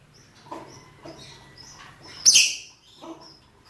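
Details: Rosy-faced and Fischer's lovebirds, both sexes, making mating calls: short high chirps at about half-second spacing, then one loud, drawn-out shrill screech.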